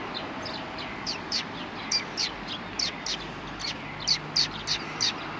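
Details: Resting Eurasian tree sparrows after feeding, 26 January 2020, give short high chirps at an uneven pace, bunching toward the end, over low steady background noise.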